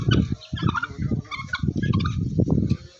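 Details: Very big turkeys on a local farm in Golaghat, Assam, giving low, rough clucking and gobbling bursts in quick uneven runs, with a few higher squeaky notes from other farm birds mixed in.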